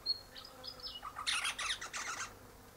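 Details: Wild Eastern rosella chatting from high in a hedge in the morning, its mate in a nearby pecan tree; thin high whistled notes lead into a second of harsh, rapid, buzzy chattering bursts.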